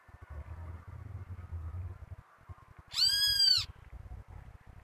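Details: Great kiskadee giving a single loud, harsh, arched note rich in harmonics, over a low rumbling background with soft knocks.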